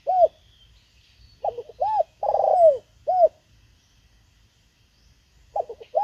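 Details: Caged Spotted Dove acting as a lure for wild birds: brief hooting notes build to one long downward-sliding coo, then silence before the phrase restarts.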